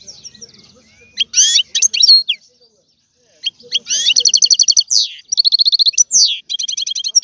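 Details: A European goldfinch sings sweeping chirps followed by fast repeated twittering notes and buzzy trills, after a quiet opening.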